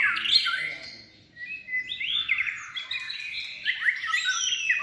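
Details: Contest-trained white-rumped shama in its third season giving a lively performance: a loud opening note, a brief pause, then a continuous flow of mellow, warbling whistles rising and falling, ending in high thin notes, with faint background noise.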